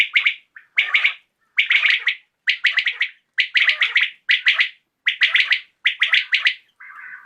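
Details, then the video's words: [['Evening recording of a common quail: crisp three-syllable calls repeated at regular intervals about every 0.9 seconds, ending with a softer, lower, blurred note.']] "COMMON QUAIL CALLING | BATAIR KI AWAZ | AJ SHAM KI RECORDING"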